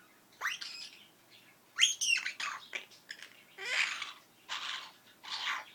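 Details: Captive female Princess parrot that copies sneezing, fart noises and words. She makes a string of raspy, sneeze-like bursts and scratchy squawks, some with short whistled notes, at irregular intervals.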